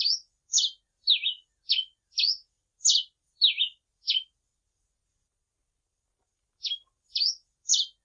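Grey pileated finch singing a quick run of about eight sharp, high, squeaky notes, a brief pause, then three more. No other sounds.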